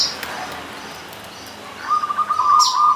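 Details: Local zebra dove singing at a punden shrine on the slopes of Mount Slamet, Banyumas: after a quiet start, a sustained rippling mid-pitched trill, with brief high chirps from other birds.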